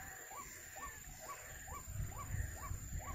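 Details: Bird-trapping scene with a white-breasted waterhen (ruak-ruak): evenly spaced hoarse rising-then-falling notes, about seven in three seconds, while low thumping noise grows louder toward the end.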